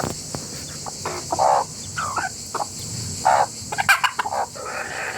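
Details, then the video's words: Several chickens cluck and squawk together in short, mid-pitched, irregular bursts with no drawn-out crow, over a steady background hiss. "Rooster family makes noise together."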